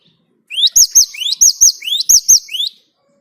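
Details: One steady burst of great tit song used as a lure for other birds. About five two-part phrases, a rising whistled sweep capped by a bright high note, repeated quickly and evenly over two seconds.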